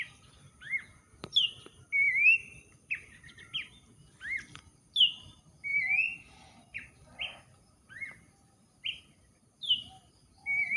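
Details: An Abbott's babbler singing near someone gardening, a series of loud, pure whistles, some rising, some dropping, given in an irregular run with short pauses, over a quiet background with a faint click.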